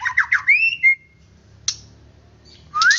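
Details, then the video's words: White-rumped shama singing to stir rival birds into agitated song: three quick warbled notes, then a long, clear, rising whistle, a sharp click and a final upward-slurred whistle, over a faint low hum. "Murai Batu Akan Emosi dan Cepat Gacor"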